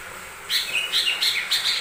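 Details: Lesser green leafbird lure song meant to draw out other birds' singing: after a short pause, a brisk sequence of high sweet notes alternating between two pitches, about five notes a second.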